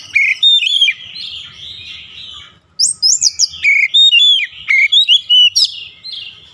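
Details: Daily training song of an oriental magpie-robin for long rolling singing: bright whistles over a soft warble, a brief pause, then a rapid string of loud high whistled and buzzy phrases.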